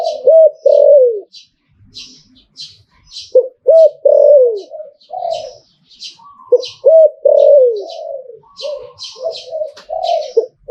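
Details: Thai zebra dove singing liu tan style, several bursts of rapid wavering coos, each ending in a falling note, repeated roughly every three seconds amid frequent high chirps of small birds.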